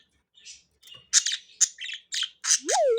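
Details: Three captive budgies at play give scattered bright, high chirps and scratchy squawks in quick bursts, ending with a clear falling whistle-like note.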